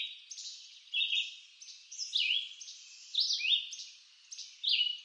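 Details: Singing red-eyed vireo, woods of eastern North America: five brief whistled phrases with clear pauses, some swooping down and others upslurred, over a soft hiss.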